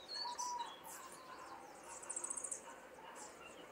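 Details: Young common starlings in a cage, recorded in Liepāja, Latvia, in May 2024 against city background sounds. Scratchy high bursts and squeaks open the clip, followed by a quick ticking trill of about eight very high notes.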